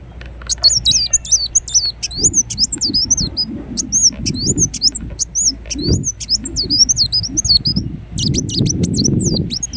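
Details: Ruby-cheeked sunbird (kolibri wulung, Indonesia) pouring out high, thin, looping twitters in rapid succession, steady chattering phrases over a low background murmur and some rustling noise.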